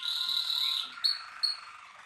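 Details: A brief burst from a Malinois Waterslager canary: a held bright whistle sliding into a low bubbling roll, broken by two sharp, loud clipped notes.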